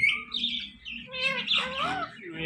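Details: Talking ringneck parakeet producing a rapid run of speech-like harmonic syllables, chattering and slurred, with overlapping squawky notes throughout and the word 'mitthu' repeated around it.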